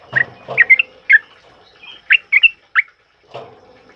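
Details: Loud 'ropel' song of a sooty-headed bulbul, meant as a model for other birds to learn: clear, bubbly whistled notes in uneven clusters of two or three, separated by brief gaps, with a soft low thump at times.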